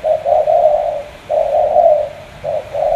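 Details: Spotted dove, Cà Mau, Vietnam, with two-part coos: a brief opening note run into a long, smooth, slightly wavering coo, repeated about every 1.3 seconds.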